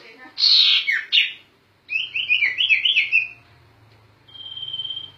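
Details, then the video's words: Sirtu bird in full gacor ngerol song, meant for teaching other cage songbirds: a harsh loud burst of notes, then a rapid wavering whistled trill, followed by a long steady high whistle over a quiet low hum. "Suara Burung Sirtu Gacor Ngerol Untuk Master"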